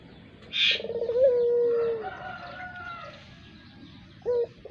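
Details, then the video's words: Barbary dove (puter) with a long-drawn pelung voice, kept as a lure bird: a short rising note leads into one long, steady, low coo lasting about a second, then a brief second note near the end over a steady background hiss. "Burung puter pelung.cocok buat pancingan"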